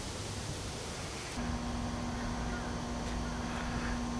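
Only a steady outdoor rumble is heard, joined after a second or so by a constant low electrical hum, with no animal voice.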